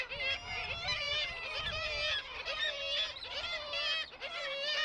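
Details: Kittiwakes calling at a busy colony, adults returning with food to regurgitate for their young and a pair courting; many harsh, wavering nasal calls overlap continuously, with a low steady tone underneath.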